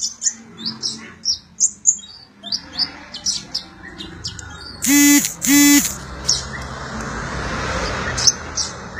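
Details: Sunbird song used as tutor material for training magpie-robins: rapid thin high chirps repeated in a quick series, broken midway by two loud, buzzy, strongly harmonic notes, then more scattered sharp chirps over soft background hiss.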